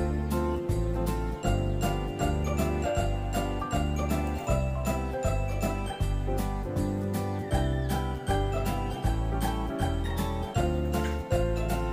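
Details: Rhythmic music with jingling bells and a steady low beat plays throughout, with no animal sound heard.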